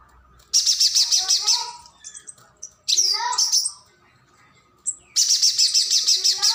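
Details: Nectar-feeding spiderhunter (pijantung gunung) singing as a tutor for contest birds: two long, buzzy, fast-stuttering high trills framing a stretch of lower, varied chirps and slurred whistles.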